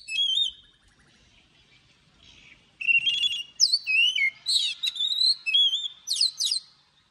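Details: Oriental magpie-robin singing a morning song in a long forest-style voice, used for training; clear whistled phrases, rising and falling slurs and sharp upswept notes in bursts after a quiet opening.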